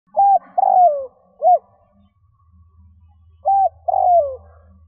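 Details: Spotted dove from Vietnam, a call used to lure wild doves: two phrases, each a short flat coo, a longer coo sliding downward, then a brief third note in one, with faint low hum between.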